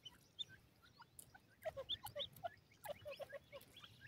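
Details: Partridge chicks squabbling over food: sparse peeps at first, then a dense run of short, sharp chirps repeated several times a second, some lower and some higher, over a steady low hum.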